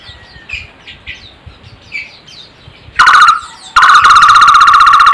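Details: Soft high chirps from various small birds give way to a barbet's loud buzzing trill of fast even pulses, heard as a short burst and then a sustained run, an odd but sweet sound.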